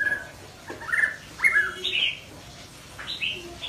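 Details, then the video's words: Young white-rumped shama practising its song: short bursts of varied whistled and slurred notes, some rising, some falling, separated by brief pauses, with faint rustling in the background. "Chích chòe lửa non tập hót / Luyện giọng chòe lửa"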